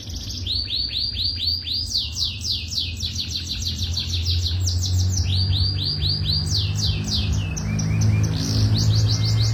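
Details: Young canaries in a tutor recording deliver fast repeated downward-sweeping whistles in rolling trills, changing pace partway, over a steady low background hum.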